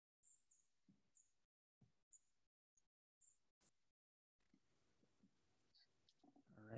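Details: American Tree Sparrow, a winter bird in Iowa usually with others of its kind, giving its soft call: very high, thin tseet notes, about six over four seconds, followed by a man talking.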